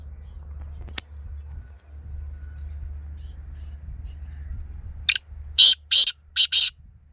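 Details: Black francolin calling near the end: a sharp scratchy note followed by four loud, rasping bursts in quick succession, after several seconds of near-silence with a faint low rumble and one soft click.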